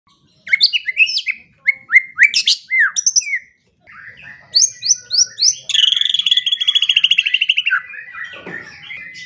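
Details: White-rumped shama song used as a morning and evening training and lure recording for songbirds: clear whistled phrases and sharp slurred notes, then a fast buzzy trill ending in a lower rattle.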